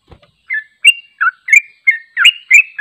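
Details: Unedited long ropel song of a sooty-headed bulbul for training: a brief low tap, then a series of burbling slurred whistles, growing steadily faster, about three per second.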